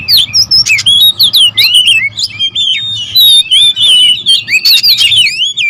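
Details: Agitated oriental magpie-robins, territorial birds, singing together in a loud clash: quick chains of clear whistles and sharp chirps tumbling over one another almost without pause, a low steady hum beneath.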